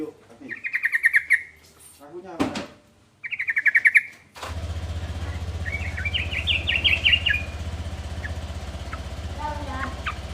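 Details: Yellow-vented bulbul (trucukan) song intended to provoke answers from other trucukan: two short bubbly phrases, a thump, then a faint chattering run under loud steady rumbling noise.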